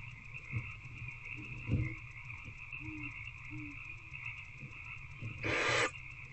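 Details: Barn owl in a nest box at night on 19 February, an adult feeding an older owlet: one harsh, breathy hissing screech near the end, with soft scattered knocks and a steady electrical hum throughout.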